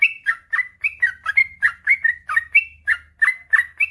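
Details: Yellow-vented bulbul, locally trucukan, delivering energetic 'ropel panjang' song for training reluctant birds: a rapid stream of bubbly, warbled whistles, several per second, with little pause and faint low hum.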